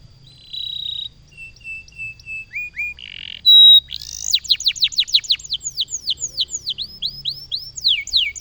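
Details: A canary in the Indonesian loper style sings clear, steady whistled notes and short descending slurs, then a fast run of rapid downward-sweeping notes repeated several times a second, with a faint low rumble beneath.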